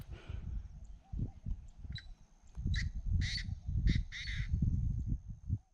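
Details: Painted francolin, calling loud and clear but hidden from view, gives harsh, grating, cackling calls in short bursts about once a second, over a steady low rumble of wind and background noise.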